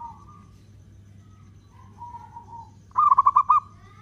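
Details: Local zebra dove, a lively singer with long-beat cooing meant to lure and provoke other doves. Soft, faint drawn coos give way to a loud closing burst of five quick staccato coo notes, with a steady low hum behind.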